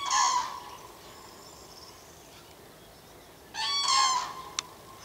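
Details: Cranes met in May give loud, rolling trumpeting calls in two bursts separated by a quiet pause.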